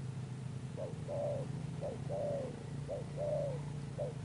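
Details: Spotted dove, caught from the wild, cooing in Sấm Thổ style: three short-and-long coo pairs and the start of a fourth, set against a loud steady low hum.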